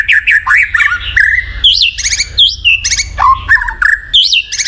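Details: A white-rumped shama's rich song, meant to stir a silent bird: loud looping whistles, sudden upward and downward slurs and harsh buzzy notes in quick succession.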